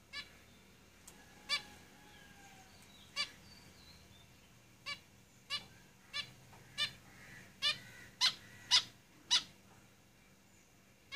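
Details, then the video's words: Caged zebra finches: short, nasal, harmonic-rich calls, about ten over eleven seconds, spaced irregularly and growing slightly louder toward the end, over a quiet, low background hum. "Zebra Finches Singing in the cage"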